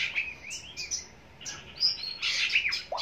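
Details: Oriental magpie-robin song played as a lure before a singing contest; varied whistled phrases and slurred notes, fainter against a hissy background, with a louder burst of scratchy notes near the end.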